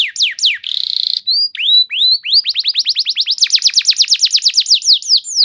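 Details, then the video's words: Canary lure song for song training, sharp descending whistles, a buzzy note, rising slurs, then a long rapid trill of falling notes. "Terapi Burung Kenari Cepat Bunyi Gacor Dengan Suara Pancingan Kenari Gacor Nembak Panjang Ini"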